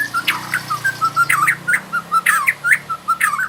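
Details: White-rumped shama practising rolling song (ngerol): short harsh whistled notes repeated about three times per second in an uneven, stuttering rhythm.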